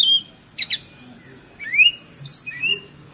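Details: Oriental magpie-robin song meant to prompt quiet birds to sing: a pure whistle, two quick sharp notes, then smooth rising and falling whistled slurs.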